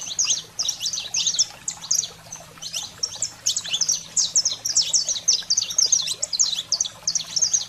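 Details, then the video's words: Canário-da-terra, the saffron finch, singing an energetic 'fogo selvagem' song for stimulating caged birds: clusters of piercing chirps and quick downward notes, packed tightly and accelerating in the second half, light background hum. "Canário-da-terra Fogo Selvagem para Estimular a Fibra e Foguear seu Canário em Minutos"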